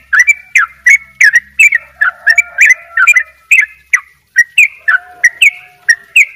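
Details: Sooty-headed bulbul delivering Bali 'dobel ropel' gacor song: dense, rhythmic chirpy whistles, often in quick pairs, running almost nonstop for six seconds with one short break.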